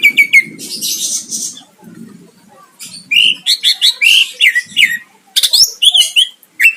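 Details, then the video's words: Greater green leafbird singing energetically to provoke a rival into answering. Loud, varied whistled and chattering phrases with sharp descending notes and rapid trills, over a low background rumble. "Cucak ijo gacor mancing lawan dijamin Nyahut"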